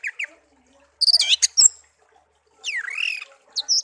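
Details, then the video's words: Hand-reared pet songbird, one year in captivity, found in a garden: brief high chips, a dense buzzy burst, then a rising slurred whistle and two closing notes. "burung kicau peliharaan"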